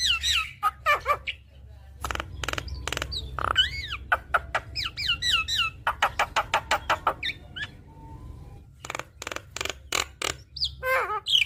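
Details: Javan myna song played to stimulate a bird reluctant to sing: varied whistled slurs, clicks and harsh rasping notes in rapid bursts, with a low steady hum underneath.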